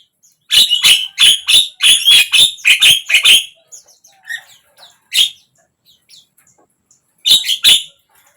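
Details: Javan myna song for encouraging a mute bird to sing: a fast series of about a dozen harsh clicking notes, then quiet, a lone note, and a closing pair.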